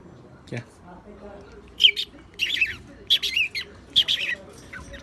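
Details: A pet cockatiel, reluctant to eat the melon it is offered, gives a series of harsh, high, scratchy chirps in short bursts.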